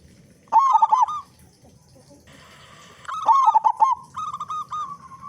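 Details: Zebra dove, an active local singer with a big voice, used to lure other doves: a stuttered coo, a pause with a hissing noise, then another stuttered coo running into long rolling trills.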